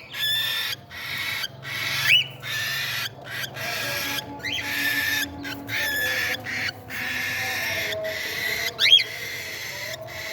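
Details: Cockatiel chicks being fed in a playful meal time produce bursts of raspy, hissing noise broken by short gaps, with a few sharp rising squeaks scattered through and a faint hum below.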